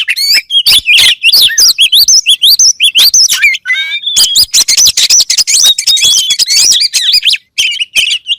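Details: Loud, unbroken oriental magpie-robin song, packed with rapid chirps, looping whistles and high squeaky notes that tumble one after another.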